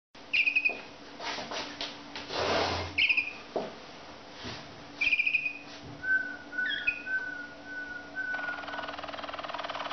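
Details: Waterslager canary, also called malinois, singing: short clear upslurred whistled notes repeated in bursts, then a long pure whistled phrase of evenly pulsed tones, with a steady electrical hum and some handling noise indoors.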